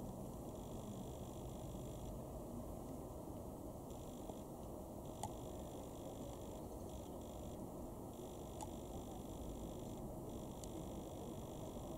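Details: Only steady broadband noise with a faint mechanical hum is heard, with no animal calls.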